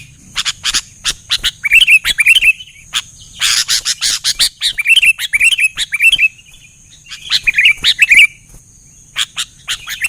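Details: Sooty-headed bulbuls in lively singing form, answered by others: several short liquid, warbling phrases set among dense bursts of sharp, dry chirps and clicks.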